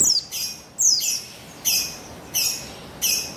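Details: Calls of a female Javan white-eye (buxtoni) used to lure males into singing, 3/8/21: high, thin descending chirps in short bursts, spaced irregularly, over low steady hiss.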